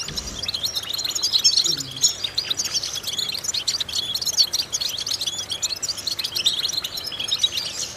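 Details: Goldfinch singing in a vocal training exercise meant to stimulate other goldfinches. Fast, bright twitters and chattering trills run without pause, with sharper accented notes around the midpoint and a faint low knock at the start.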